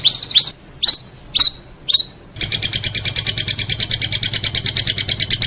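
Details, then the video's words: Long-tailed shrike master song for tutoring contest songbirds: four harsh, high buzzy notes about half a second apart, then a fast, even, high chattering trill repeated rapidly to the end. "Masteran cendet"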